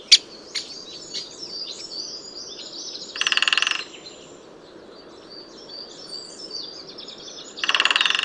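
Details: Great Spotted Woodpecker drumming: two fast, rattling rolls of rapid knocks, each under a second, separated by several seconds, with a single sharp call at the start and a chorus of songbirds behind.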